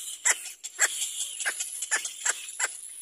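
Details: Baby little black cormorant begging its mother for food, giving a series of harsh, rasping cries about two per second, each brief and high, with a steady hiss between them.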